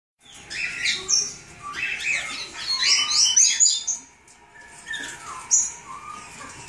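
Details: Cockatiel chicks calling: a run of raspy, rising and falling chirps and short whistled notes, clustered in bursts with a brief quiet gap before a few softer calls, over a low background hum.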